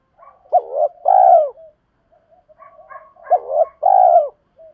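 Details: Cooing of spotted doves, male and female, played to lure and train birds: paired phrases of a brief clipped note and a drawn-out, slightly descending coo, given twice with a quiet gap between.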